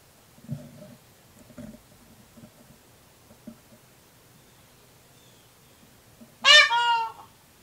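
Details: Indian peafowl, a male in a residential neighbourhood of Cocoa Beach, Florida, recorded in August 2019, gives one loud, brassy honk that swells then holds late in the clip. Soft low thumps and rustles come before it.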